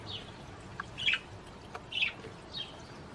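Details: Budgerigar calling to stimulate the female to mate, a few soft, separate chirps roughly once a second in otherwise quiet surroundings.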